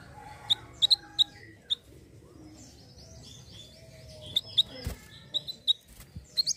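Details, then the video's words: Hill blue flycatcher recording used to lure birds: short, sharp high chips in loose clusters, a quieter faint whistled line and a soft low note running beneath them. "pancing bunyi Mantenan Gunung"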